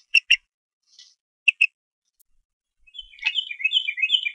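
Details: Young eagle in the Harrison Bay nest on 5 May 2015, attempting to feed itself after the parent ate without sharing; a few sharp clicks, then a rapid run of high, twittering, wavering chirps.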